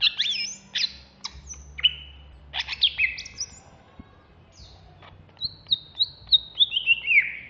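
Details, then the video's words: Agitated caged greater green leafbird of Alas Purwo stock singing sharp chirps and sweeping downslurs, then a quick series of about eight descending whistled notes toward the end. "Cucak Hijau Alas Purwo Ngamuk"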